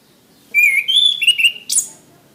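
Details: Orange-headed thrush singing, recorded as training material for caged birds: a sweet whistled phrase, wavering up and down through several linked notes, finishing with a sharp, high, scratchy buzz.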